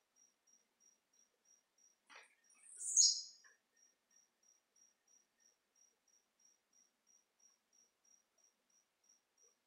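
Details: A single high, rasping, falling note from a blue-black grassquit singing 'de pulo', preceded by a faint click, against a continuous even ticking of an insect.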